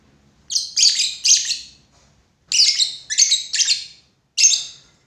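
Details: A lovebird repeats harsh, piercing chirps in groups of two to three, each burst about a second long, with brief silences in between.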